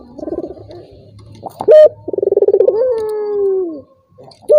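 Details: Turtle dove call used as a lure to provoke a rival that is reluctant to call: a low rolling, pulsed coo sliding into a long drawn-out falling note, with a short sharp higher note in between.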